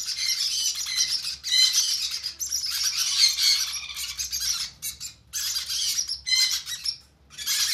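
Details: During hand feeding, conure chicks keep up long, harsh, hissing squawks in sustained stretches, pausing briefly between bursts.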